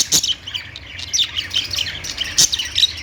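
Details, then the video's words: Budgerigars or lovebirds chirping: a dense, busy chatter of high, short squeaky notes and warbles overlapping continuously, with occasional sharper clicks and a faint low hum beneath. "budgies sounds | parakeet chirping sounds"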